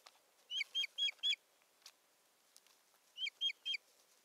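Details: Osprey calling at its nest in Satakunta, Finland, on 7 May 2019 during stick delivery and nest tending; loud, clean, descending whistled chirps, four in quick succession, then a further run of three.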